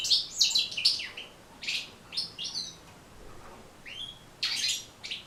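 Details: Goldfinch song for training cage birds to sing, with scattered bright twittering phrases and clipped high notes separated by short gaps.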